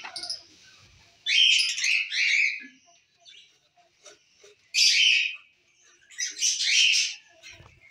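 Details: Lutino and masked (personata) lovebirds kept for breeding, chattering: three loud bursts of harsh, squeaky screeches about two to three seconds apart, separated by quiet gaps with faint clicks and ticks.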